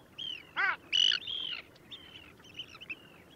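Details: Long-tailed ducks at Liepāja, Latvia, January 2024: a short arched nasal note and brief bright whistled calls, then softer scattered call fragments from more distant birds.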